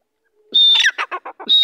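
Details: Francolin calling: a loud, high, level whistle followed by a quick series of harsh clucking notes, then another high whistle, in a quiet setting.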